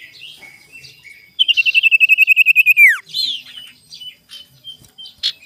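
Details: Lure song of a sirtu, recorded in the morning to draw out challengers. Quiet twitters give way to a loud run of rapid, evenly spaced high pulses that ends in a steep downward slide, then light chirps.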